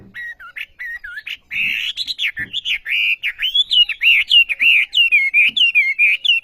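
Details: Olive-backed sunbird singing steadily: a few soft wavering whistles build into a fast, continuous chain of loud looping whistled phrases, each swooping down and up, repeated more than once a second.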